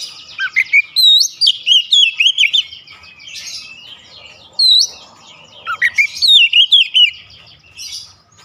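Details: Oriental magpie-robin pouring out a sharp, fiery song with open bill: quick bursts of looped whistles and rapid chattering notes, broken by short pauses and scratchy rasps before resuming.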